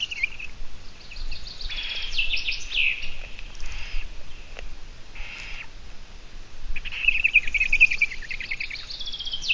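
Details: Eurasian eagle-owl on a live nest camera, 17 June 2017 around midday, giving repeated harsh, hissing rasps of about half a second each, separated by short pauses, with a few thin chirps of other birds in the background.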